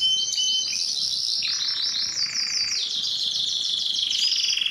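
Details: Belgian canary in strong breeding song aimed at females, varied high trills stepping up and down in pitch with rapid rolling phrases, steady and unbroken.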